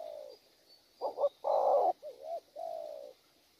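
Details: Wild-caught spotted dove with a short coo phrase: a soft opening note, a stuttering double coo, a long throaty roll, then gentle undulating coos fading out.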